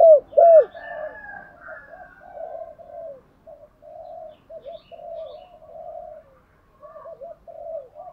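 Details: Decoy spotted dove calling to stimulate wild doves to answer; opens with two loud arched coos, then a long series of softer, wavering hoots repeated at a steady pace, with a faint higher band in the background.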